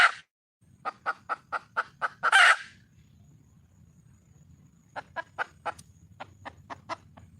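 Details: Wild junglefowl hen calling for a male gives a rising sequence of regular clucks that ends in a loud, grating squawk. After a pause, a softer series of clucks follows over a faint low hum.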